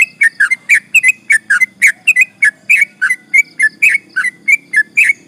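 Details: Sooty-headed bulbul in a nonstop long rolling song meant to agitate rival birds: loud, rapid, evenly spaced bubbly notes, about four each second, without a break.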